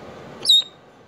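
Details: A pet African grey parrot calling for his friend gives one brief, high, clear whistled squeak, level in pitch and lasting a fraction of a second, over quiet room background.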